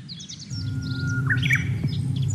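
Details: A Japanese bush warbler sings in Kobe, Japan, on 29 March 2022 as cherry blossoms arrive: a long steady whistled note, then a quick rising-and-falling flourish, with faint high chirps from other birds and a low background rumble.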